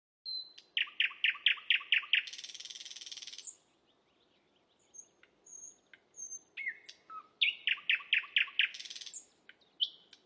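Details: Asian brown flycatcher song used as training material for songbirds: rapid series of six bright descending chirps, then a harsh buzzy rasp lasting over a second, scattered thin whistles, and a second chirp series with another rasp.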